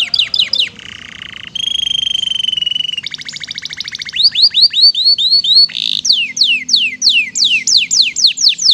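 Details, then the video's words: Canary in active song from a long training recording with a rich repertoire: short quick notes, a steady low buzz, pure held whistles, a rapid pulsed trill, then a string of loud descending whistles. "Masteran Burung KENARI Gacor ISIAN MEWAH Durasi Panjang"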